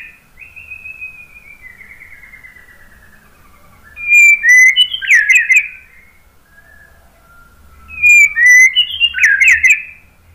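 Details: White-rumped shama song, used as a lure to prompt answering birds: a soft descending trill, then two loud bursts of sharp whistles and rich warbled notes about four seconds apart, with faint low rumble between.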